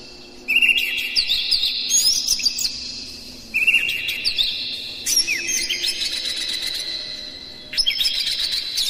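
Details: Kacer (Oriental magpie-robin) provoking song in a hard, packed style meant to make other kacer sing; four bursts of rapid whistled and scratchy notes, each starting loud and tapering, separated by brief pauses.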